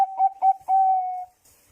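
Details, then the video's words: Bangkok zebra dove lure song in brief: three short, mellow coos followed by one long, steady drawn-out coo that fades away. "suara pancingan perkutut bangkok gacor"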